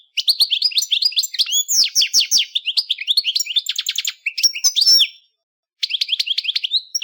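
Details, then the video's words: A European goldfinch, a small colourful songbird common as a pet or bred bird, sings a long, fast, jumbled trill of bright twittering notes and metallic buzzes, breaks briefly near the end, then resumes twittering. "SONIDO real de JILGUERO"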